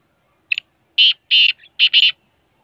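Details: Large Sindhi black francolin calling: a short series of harsh, grating bursts, one brief note, then three loud rasping notes with the last split into a double note, all in quick succession over clean silence.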